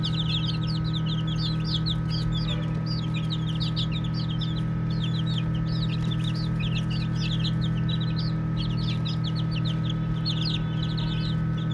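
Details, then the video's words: Baby chicks chirp and play for nearly twelve seconds. Dense, high, downward-slurred peeps run about four a second, with a short lull early on. A constant low hum continues throughout. "Baby Chicks Chirping Sounds"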